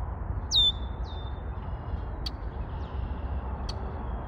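A Red-winged Blackbird gives a sharp, downward-sliding opening note, then a long, steady, buzzy trill. A few faint clicks and a low background rumble are also heard.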